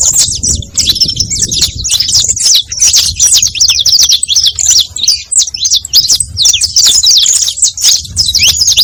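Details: Saffron finch song used as a lure for other saffron finches, long sequence of crisp, rapid high chirps and short slurred notes, repeated phrases flowing continuously.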